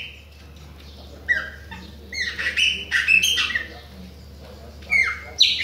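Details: Chopi blackbird, Bahia form, singing persistently toward other birds. After a quiet start comes a string of rapid whistled and buzzy notes, about two a second, with a final rising slur.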